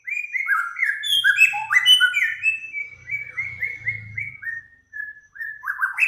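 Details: Bird song from a master recording for cage-bird training. Dense, varied whistled phrases tumble in quick succession, with some descending slurs, over a faint low rumbling in the middle.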